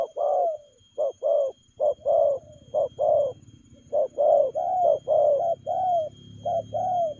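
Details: Fast-paced spotted dove cooing in the 'lèo gù' manner. Clipped coos and longer falling notes run in a brisk, almost continuous string, with a soft low rumble underneath.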